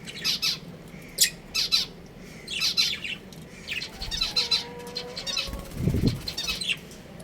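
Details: Breeding pair of pet budgerigars kept at home, giving bursts of harsh, scratchy chirps and chatter in short clusters, with a low thump and a brief faint tonal whistle near the end.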